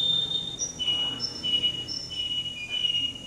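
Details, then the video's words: A male canary, contestant number 10 at a Rostov-on-Don singing contest on 22 January 2011, gives a short run of high, clipped whistles that alternate with lower trilled notes. Soft background hum is present. "Конкурс канареек, Ростов-на-Дону, кенар №10"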